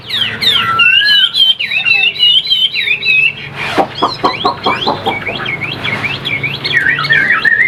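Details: Caged Chinese hwamei pouring out loud looping whistled song, twisting notes in rapid succession, broken midway by a burst of sharp clicking sounds before the whistling resumes.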